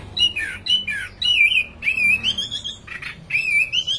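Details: An orange-headed thrush sings fluent, clear whistled phrases that waver and slide upward, linked in long strings and broken by short gaps, over a soft background hum.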